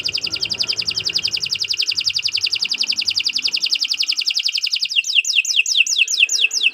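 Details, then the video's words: Canary singing a long gacor song: a rapid, even high trill held for about five seconds, then switching to a quick series of sharp, descending whistled sweeps. "Kicau Burung Kenari 164 II LUAR BIASA GACOR PANJANG"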